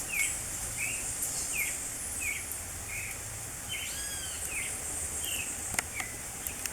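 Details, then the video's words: A Creamy-bellied Thrush (Turdus amaurochalinus) sings in spring in Brazil: short, slurred whistled notes repeated at a steady, unhurried pace, roughly one each second, over a constant high insect hiss. "SABIÁ POCA! (Turdus amaurochalinus) O canto MAIS ouvido da NATUREZA na PRIMAVERA!!!"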